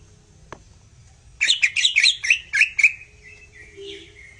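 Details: Greater green leafbird giving a tutor song to rouse other birds: a fast cluster of sharp, chattering whistles for about a second and a half, trailing into softer slurred notes.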